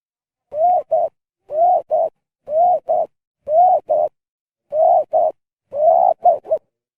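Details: Spotted dove giving an abnormal-sounding call, possibly after eating something wrong: six paired coos about once a second, each a longer arched note followed by a shorter one, the last group with three notes, in clean silence.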